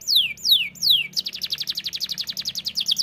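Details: Canary in energetic full song: three loud descending whistled sweeps, then a fast rapid trill of repeated high notes, about twelve per second, with a faint low hum beneath.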